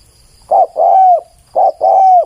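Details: Close, loud spotted dove cooing for use as a decoy: two phrases, each a short clipped coo followed by a drawn-out smooth coo that sags at the end.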